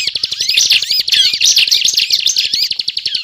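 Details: Prinia (ciblek) pouring out continuous 'ngebren' song as a trapping lure: very rapid, dense chattering and rattling trills with overlapping squeaky notes throughout.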